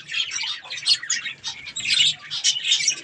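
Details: Pet budgerigars eating strawberries give rough, scratchy chirps and squawks in quick bursts, overlapping voices rising and falling over three seconds.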